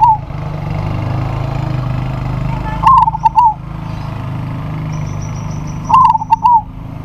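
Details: Local zebra dove in good calling form, challenging a rival that answers: two stuttering coo phrases of rapid trilled notes and a final drawn tone, about three seconds apart, set against a continuous low mechanical hum.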